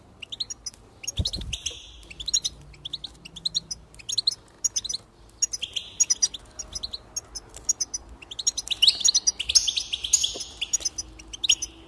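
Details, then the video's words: Goldfinch song to raise enthusiasm and stimulate singing: a long run of rapid twittering chirps and short buzzy trills, growing denser and brighter toward the end. "increase the enthusiasm of the goldfinch and encourage it to song"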